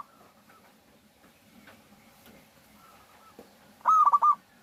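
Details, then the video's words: Local zebra dove singing as a lure to draw other doves into song: one loud, quick stuttering cooing phrase of about five rapid notes near the end, after faint distant cooing and soft background murmur. "suara pikat burung Perkutut lokal gacor Jagonya Pancingan perkutut agar bunyi"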